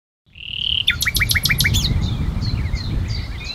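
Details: Common nightingale (Luscinia megarhynchos) singing at 11:50 on 1 June 2019 in the Ahsewiesen nature reserve, Germany: a pure, sustained whistle, then a rapid run of about six sharp, repeated notes and softer varied twitters, over a low background rumble.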